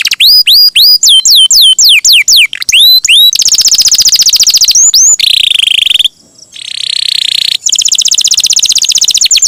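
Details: Canary performing a long roll as training material for songbirds: repeated high swooping whistles, then a long rapid buzzy trill broken by a brief pause before it resumes.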